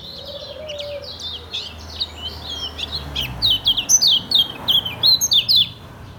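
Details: Ngejos-style song from a caged Lombok yellow white-eye: dense, high, twittering chirps that speed up into loud, evenly spaced sharp notes, with a brief lower whistle at the start.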